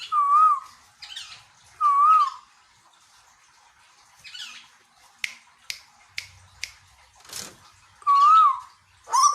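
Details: Short wavering whistles from a caged Asian koel in Bogor, Indonesia, two early and two late, separated by a run of dry snapping clicks.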